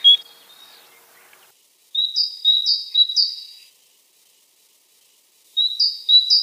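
A tit sings bright, high two-note phrases, repeated three times in quick succession, then again after a pause, over quiet background.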